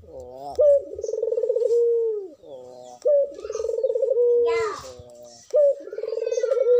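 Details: Madura spotted dove in breeding condition, a vigorous singer prized by contest judges, used to lure others: repeated three-part coos about every 2.5 seconds: rising note, pulsing roll, long falling tone. A brief human voice intrudes midway.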